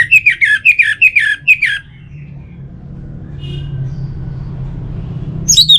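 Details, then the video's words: Anis merah, the orange-headed thrush, from Singaraja, Bali, used to prompt singing. A quick series of six repeated chirping whistled notes, then low rumbling background and a final sharp high note. "Pemancing Burung ANIS MERAH Agar Selalu Gacor"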